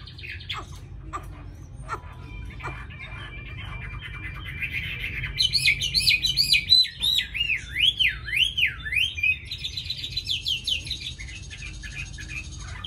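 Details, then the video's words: Chinese hwamei, a tame caged bird in Hanoi described as an excellent and ready singer, starts with scattered soft notes, then bursts into loud rolling, wavering whistled trills and quick repeated phrases, with low background hum. "Mi thuần cb98123 giọng rất hay mau mỏ"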